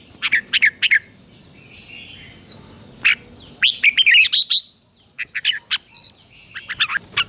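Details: Red-whiskered bulbul singing, used to coax a newly caught wild bird into song: quick chirpy whistled notes in clusters, a rapid run of slurred phrases midway, over faint background hiss and a constant high tone.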